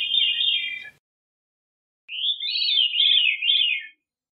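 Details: Veery delivering two ethereal, rolling phrases with a gap between them, the second swirling up and down before fading.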